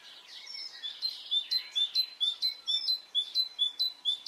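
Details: Birds singing on a spring morning in Brittany, France: a background twitter gives way to a steady run of bright, piercing whistled notes, evenly spaced at roughly two per second, growing slightly louder.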